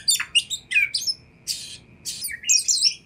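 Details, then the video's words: Oriental magpie-robin (kacer) song used to provoke a response from other magpie-robins: loud harsh buzzy bursts mixed with sharp whistled notes, phrases separated by short pauses, with a faint steady hum underneath. "100 % Kacer Anda Pasti Respon Tanpa Nanti-Nanti !!!"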